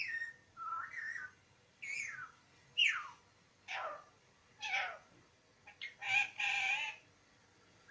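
A parrot gives a run of short, hoarse, speech-like phrases and whistled slurs, mostly high-pitched, in bursts about every second with brief pauses.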